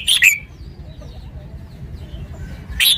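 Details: Red-whiskered bulbul: a brisk, chirpy phrase of two or three rich whistled notes opens, then low background rumble and a faint distant chirp, and a fresh burst of song closes.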